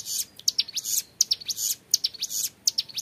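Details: Short stretch of young hill prinia ngebren song, crisp, very high chirps falling in quick clusters of two or three notes, each group about half a second apart.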